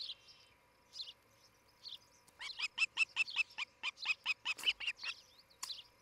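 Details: At a Charlo, Montana nest cam, an osprey pair on July 11, 2018 in the morning: a few faint scattered chirps, then a run of sharp, evenly spaced high whistled notes, each clipped and bright, over a constant low hum.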